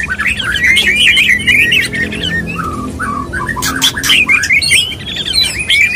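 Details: White-rumped shama mating sounds from a male courting a female: an unbroken stream of quick wavering whistles and chips, with a few lower slurred notes, loud clicks, and a faint low hum beneath.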